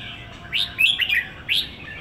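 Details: Red-whiskered bulbul, a caged bird in Singapore, gives a brief run of three quick liquid whistled notes, rising and falling, over faint background hiss.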